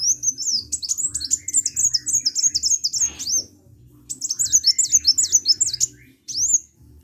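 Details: Sunbird singing energetically: rapid, high, thin twittering phrases of sharp, rising and falling chirps, one burst for about three seconds, a short pause, then a second burst and a final lone note, with faint low hum beneath.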